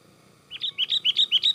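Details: Excited Sooty-headed bulbul song played to lure and catch birds: after half a second of quiet, six or seven crisp two-part chirps follow in quickening succession, each a high squeak then a dropping note.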